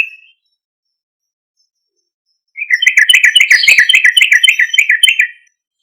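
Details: Loud lure song of a yellow-vented bulbul to make other bulbuls respond: one short note, a pause, then nearly three seconds of rapid, evenly repeated bubbling chirps, about four per second.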